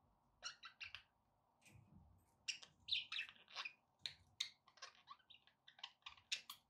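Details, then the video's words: Pet budgerigars warbling in a rapid run of short chirps, clicks and scratchy notes, continuous chatter with varied pitch over a low background hum. "budgie sounds with background noise for relaxation"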